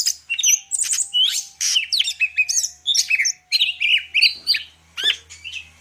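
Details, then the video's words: Greater green leafbird from Medan delivering a lively varied song of looping whistles, chirps and buzzy phrases in quick sequence, over a faint steady low hum. "cucak ijo medan_gacor full isian"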